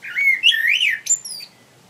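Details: Common blackbird singing from a tree, delivering a rich, warbling whistled phrase that rises and falls, ending in a thin, high-pitched squeaky flourish before falling silent.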